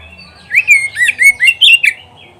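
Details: Oriental magpie-robin song, recorded for training pet birds to sing: a rapid string of loud, clear whistled phrases, some swooping down, others sharply rising, about six notes in a second and a half, over a quiet background.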